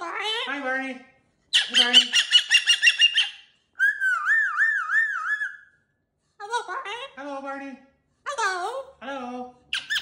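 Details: Pet cockatoo with new jingly toys on its cage talks and whoops indoors: low speech-like syllables, a dense burst of rapid pulsed notes, a smooth wavering 'woo woo woo' tone, then more bending mimicked words.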